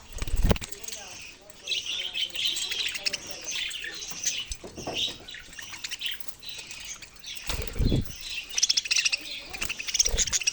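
Budgerigars chatter in a steady stream of high, scratchy chirps and warbles from several birds at once, broken by loud bursts of flapping wings.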